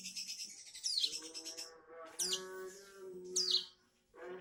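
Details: Juvenile bar-winged prinia practising its song: a buzzy high chatter, then sharp downward-sweeping squeaky notes at intervals, against a droning harmonic background hum.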